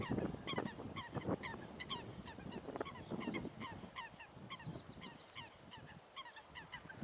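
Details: Eurasian coots in a fight call with clipped, nasal honks, many in fast uneven series, louder at first and then fading, while water churns and splashes below.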